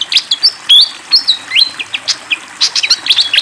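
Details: Fantail singing lively near flowing water: rapid sequence of sharp, high whistled notes and short slurred chirps, several rising and falling, packed closely over a soft steady hiss of running water.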